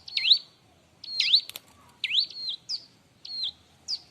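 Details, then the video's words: Bar-winged prinia (ciblek) in busy song for training other birds. Loud upswept notes trailing into a steady whistle, repeated roughly once a second, with a faint flutter of wings. "suara r!but burung ciblek-cocok untuk masteran"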